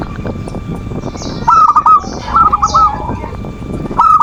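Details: Perkutut, a zebra dove, cooing in the manggung style meant to bait an opponent's emotions: short strings of rolling coo notes rise from a noisy, rumbling background.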